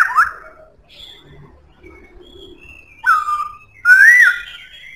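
Black-throated laughingthrush singing loud, rich whistles: a rising note, a pause, then a falling slur and an arching rise-and-fall phrase, with faint background noise.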